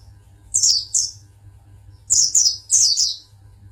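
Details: Champion Oriental white-eye singing in Pangandaran, delivering high, thin twittering bursts: two short sweeping chirps, then a pause and a run of three quick descending trills, over a faint low hum.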